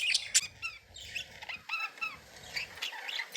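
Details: Playful pet budgies give a rapid series of short, rising whistled chirps and squeaks over a soft, steady background hum.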